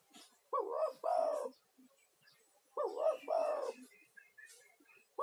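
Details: Lure call of a spirited male spotted dove, used to call other spotted doves and to relax stressed ones. Repeated two-part cooing phrases, a quick hoarse note then a drawn-out burry one, recur every two and a half seconds. Soft chirping sounds in the background.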